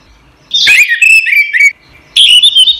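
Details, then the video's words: Orange-headed thrush, a caged songbird, singing as a training recording: a loud whistled phrase of sliding, slightly warbling notes lasting about a second, a short pause, then another bright whistled burst. "suara burung anis merah | gacor | masteran"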